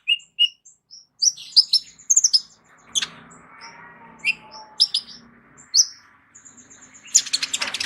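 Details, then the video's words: Sunbird known as kolibri ninja, kept as a song tutor for other birds, giving scattered high thin chirps and squeaks, then a dense burst of scratchy notes near the end over faint room hum. "KOLIBRI NINJA MEWAH ISIAN LENGKAP COCOK JADI GURU VOKAL UNTUK BURUNG JAGOAN KALIAN"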